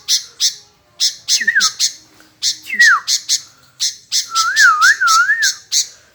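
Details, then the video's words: Sooty-headed bulbul that keeps replying without rest: clusters of rasping, squawky notes with fluid whistled phrases between them, one a drawn-out wavering warble near the end. "Tak Mau Diam Nyaut Terus Burung Kutilang"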